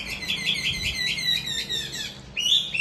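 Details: Trained fighting Hwamei kept as a caged bird, recorded upstairs in a house: rapid run of bright whistled notes, each swooping between mid and high pitch, ending in a short pause and a sharp, higher whistled phrase.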